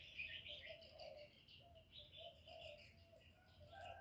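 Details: Decoy spotted dove giving repeated soft low coos to attract other doves, each note short and hollow, amid constant twittering of several other birds at higher pitch.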